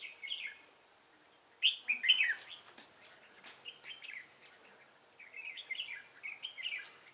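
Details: Decoy red-whiskered bulbul in a fighting trap gives short warbled phrases in repeated bursts, a loud run near the two-second mark, then quieter clipped notes and later a string of lilting whistles.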